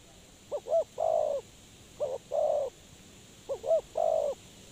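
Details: Spotted dove used as a lure in bird trapping, repeating three phrases of two quick short notes followed by a long sustained coo, regular and clear.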